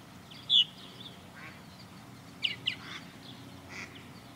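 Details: Purple martins circling a backyard birdhouse under a blue sky: a few brief, sharp chirps, one loud and then a scattered pair, over a steady low rumble.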